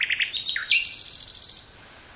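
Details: Brief nightingale phrase from the woods near Burgh-Haamstede, Netherlands, May 18th 1983, Sony TCD-5M and 949-T stereo microphone: three quick notes, a downward swoop, then a fast trill of about a dozen bright high pulses.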